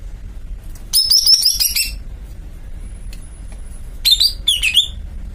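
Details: Greater green leafbird giving two bursts of high, rapid warbled and twittering phrases separated by a quiet pause, over low background hum.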